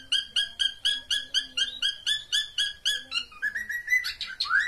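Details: Pet cockatiel mating call: a clear two-toned whistled note repeated about four times a second for three seconds, then shifting into higher rising whistles and chirps.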